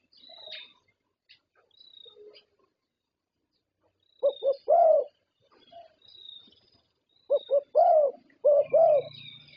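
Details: Zebra dove, a champion Thai contest bird, cooing in bursts of rapid low notes followed by rolling coos, with faint high thin bird notes in the background.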